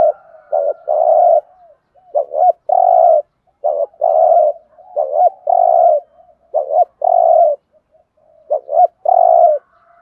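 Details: Spotted dove giving repeated 'Thổ'-voice 'thúc gù' coos, used as a trapping decoy. Each phrase has one or two quick curved notes and a sustained mellow coo, with about five phrases in ten seconds.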